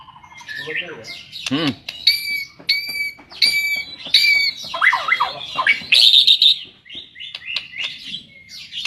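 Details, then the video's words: White-rumped shama, a fighter-class songbird, singing loud varied phrases of whistles, sharp squawks and rasping notes, with fast rising and falling slurs and a buzzy burst in the middle. "BURUNG SULTAN FIGTER"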